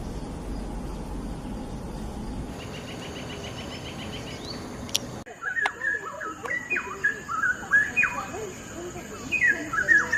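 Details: Cucak rawa, the straw-headed bulbul, first heard after a stretch of noise and faint chatter, then bursts into a run of loud, bubbling whistled notes with quick sweeping slurs, repeated in rapid phrases.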